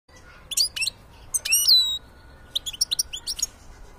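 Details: Black-headed goldfinch singing: bright, tinkling twittered notes, then a long slurred whistle sliding downward, followed by a quick run of sharp chattering chips, loud and clear over a quiet background.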